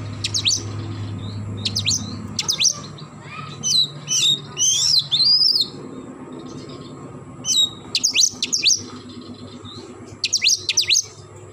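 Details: Oriental magpie-robin singing in the morning: clusters of sharp, high falling whistles alternate with a run of sweet, looping warbled notes, the pattern returning several times over a low droning background hum.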